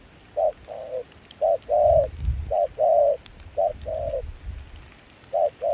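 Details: Spotted dove singing in a mixed foreign-style voice, a wild-caught bird at a Kon Tum decoying session in cold rain and wind. Hollow short-long coo pairs come with uneven gaps over faint low wind.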